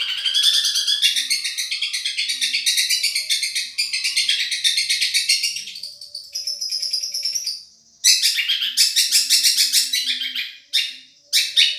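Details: Long-tailed shrike from Madura, song used for training other birds, pouring out a fast, varied, scratchy chatter of high notes, almost unbroken, with a couple of short pauses near the end.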